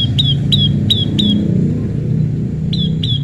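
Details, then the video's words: Prinia, tame, pairing naturally, repeats bright falling chip notes in a short cluster, then a pause and two more, over a constant low rumble of background noise. "prenjak lumut jodohan alam/prenjak jinak/prenjak bawah/prenjak putih"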